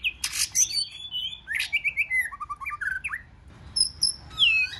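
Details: White-rumped shama delivering 'forest voice' song to provoke wild-caught shamas into singing duels: harsh buzzy bursts open, followed by clipped whistled notes in quick succession and a closing high downward sweep.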